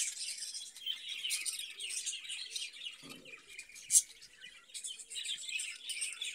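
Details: Caged budgerigars chatter in a dense, continuous wash of high chirps and warbles, with a brief low thump near the middle and a sharp click shortly after.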